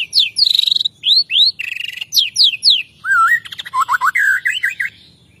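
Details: Morning song of a white-rumped shama, filled with imitations of kapas tembak, cililin and canary. Loud looping whistles and quick slurred sweeps alternate, ending in lower wavering whistled phrases and fast chatter.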